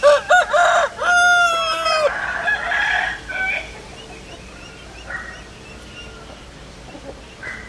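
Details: Chicken rooster crowing loudly at the start, a strained rising-and-held crow of about two seconds, then softer distant clucks and crows fading into low background noise.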